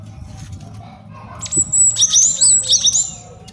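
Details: Male cinereous tit master song, used to lure and train birds. A long high whistle leads into a rapid jumble of sharp repeated high notes, with faint background rustling and hum.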